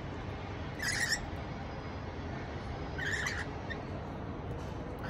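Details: A Rainbow lorikeet calling its companions to a feast gives two harsh, grating screeches about two seconds apart over a steady low rumble of distant traffic.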